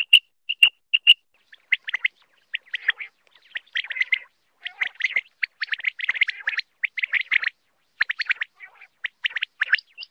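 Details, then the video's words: Common quail (batair) from Pakistan, a sound used for hunting: a few clear whistled pips at the start, then long dense runs of rapid chirping and trilled notes with short breaks. "Common quail mp3 sound ll common quail hunting ll quail sound ll Batair mp3"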